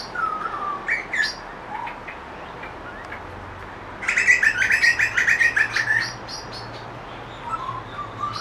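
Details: Grey butcherbird singing in a backyard: scattered clear, piping notes, then a two-second burst of rapid, rich warbling and chattering phrases before quieter notes resume.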